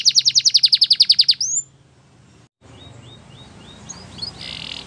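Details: Canary gives a fast even series of loud repeated notes ending in a rising whistle, followed by quieter distant chirps over background hiss.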